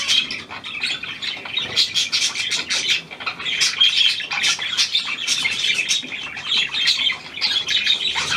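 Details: Hand-tame pied Australian budgerigar, newly acquired, 17 February 2023: a long, steady stream of busy chirping and raspy warbling, with sharp clicks and squeaks packed densely together.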